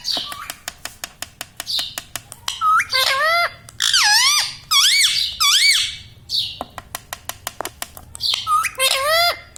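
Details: Pet parrot saying "mummy papa". A string of sharp clicks comes first, then bursts of wavering, voice-like syllables with swooping pitch, several phrases separated by brief pauses.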